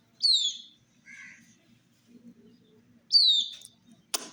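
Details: Young domestic chicks drinking water, two loud descending whistled peeps about three seconds apart with a softer lower chirp between them, ending in a sharp click or tap.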